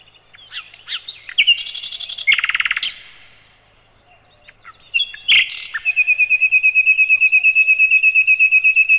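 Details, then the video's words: Tutor song of the sikatan londo, or nightingale, used to train other caged birds: a jumble of varied chirps and a buzzy rattle, a pause, a sharp note, then a long, even, rapid trill. "Materan Burung Sikatan Londo"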